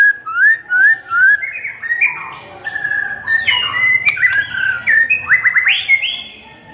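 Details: White-rumped shama full song used to stir other shamas to sing: rising whistled notes repeated at first, then a rich varied run of slurred whistles, short chips and upward sweeps.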